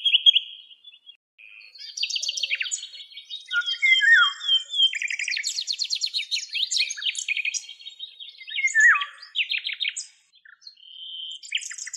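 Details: Eastern black-eared wheatear (Oenanthe melanoleuca), a male and a female in Greek countryside: a continuous, high, scratchy twittering of varied chirps, trills and quick whistled slides, with brief pauses, in an otherwise quiet setting.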